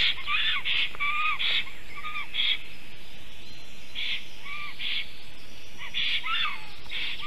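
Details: Black stork at a nest in Ogre, Latvia, 18 May 2023 at 11:40 am, the male seeing the female, giving wheezy, hissing bursts mixed with short upslurred whistles, repeated irregularly about every second, over steady background hiss.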